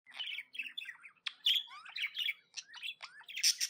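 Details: Happy tame pet budgerigar chirping: a busy stream of short warbled notes and rising whistles, with brief harsher bursts near the end, in a quiet setting.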